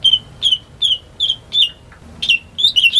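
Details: Home-kept greater green leafbird singing as a lure for silent birds: clipped, repeated high chirping notes at a steady pace, ending in a quicker burst of warbled phrases.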